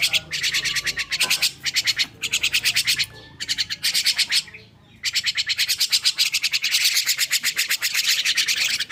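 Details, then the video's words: Starling chick freshly awake, pouring out fast harsh buzzy pulses in runs broken by brief gaps, with a faint whistle early on and a thin hiss between bursts. "Kicau anakan Burung Jalak Baru Bangun Tidur"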